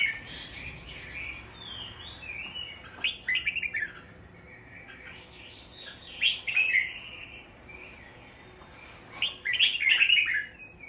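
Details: Pet Red-whiskered Bulbul kept in a cage in Vietnam for its song, giving three bursts of warbled, chirpy phrases with quiet gaps between them, with some clicking noises in the background.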